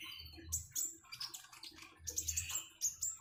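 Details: Common iora singing over flowing water. Sharp high chirps and short twittered bursts come in two clusters, with a soft low water murmur underneath.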